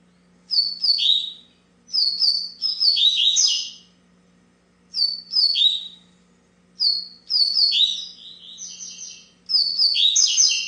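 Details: Double-collared seedeater singing in bursts: clusters of sharp descending whistles and twittering notes separated by short silences, the final phrase longest and most complex, with a low electrical hum throughout.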